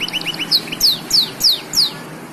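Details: Black-throated canary singing as a master recording for canaries, blackthroats and yellow-fronted canaries: soft low chirps, then four loud, high downslurred whistles spaced about a third of a second apart.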